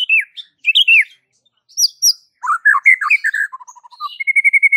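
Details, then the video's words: Song of a white-rumped shama meant to make neighbourhood shamas reply and keep singing; clear looping whistles, a dense run of varied phrases, then a steady rapid series of identical high pips. "Suara uniknya jadikan MURAI BATU sekampung NYAUT GACOR dak MAU DIEM"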